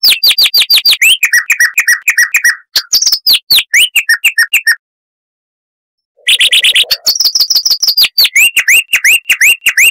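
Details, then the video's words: Chestnut-vented warbler (Sylvia subcaerulea), a bird of scrub near dry rivers in southern Africa with a loud voice for its size, sings fast, varied phrases of high, sweet whistles and rapid chattering notes, breaking off briefly then resuming. "Suara Asli Kristal HD - Chestnut-vented Warbler (Sylvia Subcaerulea)"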